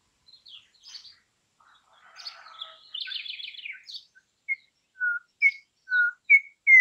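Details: Campo troupial, an imported bird, in a song recording used for training other birds: soft scattered notes and a buzzy trill, then clear, short whistled notes that alternate between high and lower pitch and grow louder toward the end.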